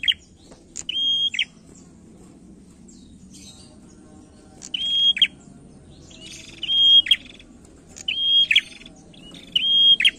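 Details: Male prinia singing as a lure for other songbirds, delivering spaced bursts of high level whistles framed by sharp ticking notes, with pauses of a second or more between phrases and a soft low rumble beneath.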